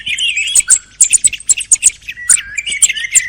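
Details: Thrush song from the end of the hunting season: sharp, high ticking notes repeated roughly every quarter second, mixed with lower whistled slurs that sweep downward and rise again.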